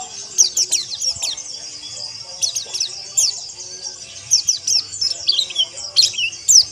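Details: Several white-eyes (pleci ombyokan) in a chorus meant to train rough ngeriwik and ngalas singing: clusters of very high, fast downslurred chirps separated by short quieter gaps.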